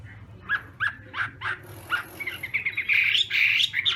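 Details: Chinese hwamei morning practice song in contest style: a series of short, harsher notes about every third of a second, building into a dense, rising flurry of bright whistles over a faint background hiss.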